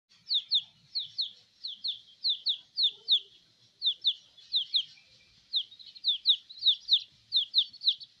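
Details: Newly hatched domestic chicks playing on a person's belly, giving a steady stream of high, thin peeps, each a quick downward-slurred note, roughly three a second with brief pauses, over an otherwise quiet background.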